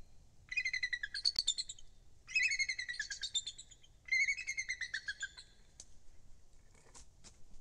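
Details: Bald eagle calling at its nest atop a loblolly pine by Kincaid Lake, Kisatchie National Forest, Louisiana, 23 December 2023: three loud, rapid series of shrill piping chitters, each about a second long, followed by a few faint clicks.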